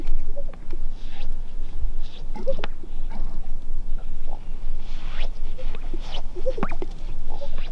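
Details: Greater sage-grouse showing off in display, with two sharp popping notes with a brief tonal tone about four seconds apart, under heavy wind noise.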